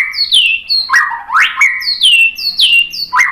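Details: Song of the white-rumped shama, or murai batu, meant to make birds respond: high whistles falling in pitch, alternating with sharp upswept notes, each phrase roughly half a second long.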